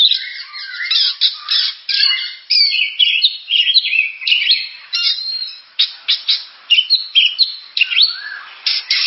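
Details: Oriental magpie-robin (kacer) in continuous varied song: rapid clusters of sharp whistles, chattering notes and scratchy buzzes, phrases tumbling one after another with only short gaps.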